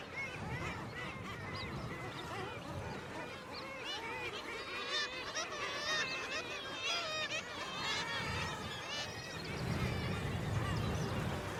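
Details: A Black-legged kittiwake colony during the chick-feeding season gives a constant clamour of overlapping nasal, wavering "kittiwake" cries over low wind rumble. The birds circle constantly, and herring gulls flying over the nests stir extra agitation.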